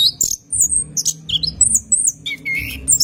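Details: Lure song of an orange-headed thrush recorded at night for training cage birds: thin high whistles and squeaky slurred notes, then a lower wavering phrase, over faint low thumps.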